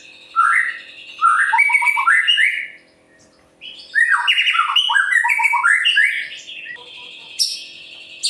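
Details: Song of a white-rumped shama of the type called murai pastol, used to provoke other birds into singing: two long runs of varied rising whistles and quick slurred notes, with a brief pause between them and a faint steady hum.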